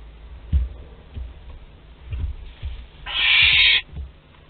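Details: At Théding, France, on 10 July 2021, a young barn owl visiting its parents' food store gives one loud rasping hiss of under a second, after scattered thuds and scratching sounds.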